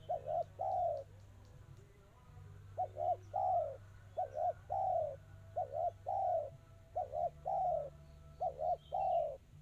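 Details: Spotted dove cooing in the tight, fast 'kristal' style: about eight short, mellow cooing phrases, each a quick double note followed by a longer cooed note, repeated steadily with brief pauses, over a low steady hum.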